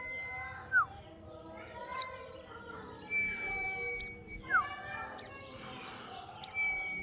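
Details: White-rumped shama singing in the afternoon: a loose series of separate slurred whistles and sharp high upward notes, roughly one every second, with steady lower tones underneath.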